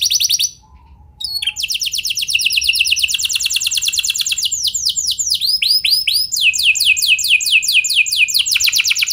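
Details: Canary song used to make other canaries sing: a trill, a brief pause, then long rapid rolling trills mixed with descending sweeps, changing pace through the phrase.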